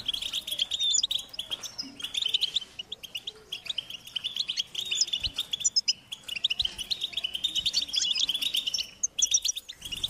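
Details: Goldfinch chicks beg for food from their parents: high-pitched, urgent twitters in tight clusters, with a short lull partway through before the chorus resumes.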